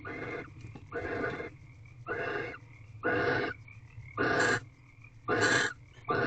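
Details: At an owl box during barn owl mating, at 5:19 am on 3/9/23, a Barn owl gives harsh, hissing screeches, each about half a second long, repeated roughly once a second with quiet gaps between.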